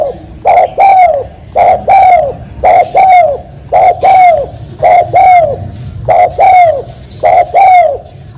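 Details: Tekukur, the spotted dove, calling in paired coos. Each phrase has a short note, then a longer rounded coo that dips at the end, repeated about seven times at a steady pace against a quiet background.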